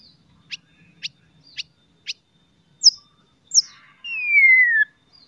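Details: White-rumped shama song used to provoke rival shamas into singing: four sharp clicking notes about half a second apart, two high upslurred whistles, then a long clear whistle sliding steadily downward.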